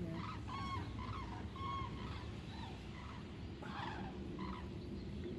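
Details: Common cranes among thousands migrating south in a broad front over the Wetterau, Hesse, Germany, on 22 October 2022, seen from Bad Nauheim; trumpeting calls overlap in short bursts above a steady low rumble of wind or traffic.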